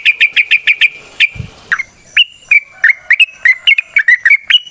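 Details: Yellow-vented bulbul (trucukan) in the wild, singing a long rapid lure song: a fast even burst of sharp notes, then a short pause and a run of varied whistled chirps.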